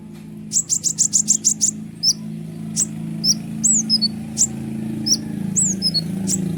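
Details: Sunbird, locally called kolibri ninja, singing loudly and non-stop, kept as a lure to rouse other birds such as prinias. Opens with a rapid burst of eight high, thin chirps, then scattered sharp high notes and short slurred whistles over a steady low hum.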